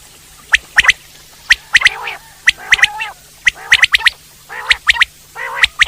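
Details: Wild common quail calling: crisp, high three-note phrases repeated about once a second, alternating with lower, grating nasal bursts.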